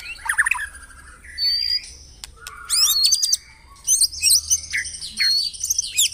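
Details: White-rumped shama song played in a morning session to prompt caged birds to sing: scattered high whistles and chirps, bursts of fast rattles, with quieter pauses between phrases.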